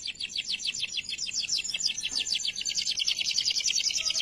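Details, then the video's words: Canary singing, a recording meant for training other canaries: a continuous run of fast, high, descending chirped notes repeated several times per second, bright and steady throughout. "KENARI GACOR DOR UNTUK MASTERAN KERNARI"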